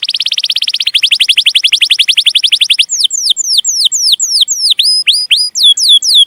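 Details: Canary tutor song for young canaries: a very fast rolling trill of tiny repeated notes for about three seconds, then a run of loud high whistles sweeping steeply downward, some turning back upward, spaced roughly four per second.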